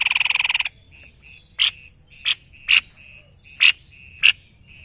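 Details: White-bibbed babbler from Indonesia singing energetically as a master bird: the end of a buzzy trill, then sharp scratchy notes about every half second over a faint steady high whistle.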